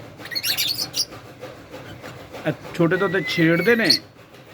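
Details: Indian ringneck parrot kept as a pet, talking during a bath: high scratchy chatter, then a speech-like string of buzzy, layered syllables crossed by a thin rising whistle.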